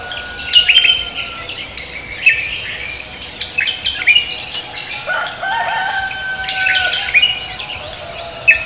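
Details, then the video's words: Cucak kombo leafbird welcoming the morning: piercing whistled notes and rapid chatter repeated in short volleys, with a lower tone swelling midway. "cucak kombo koak kelapa gacor menyambut pagi"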